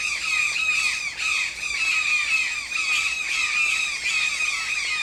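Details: Toucan producing an almost continuous stream of grating, croaking squawks that blur into one another, each with a slight downward slur, loud and harsh throughout.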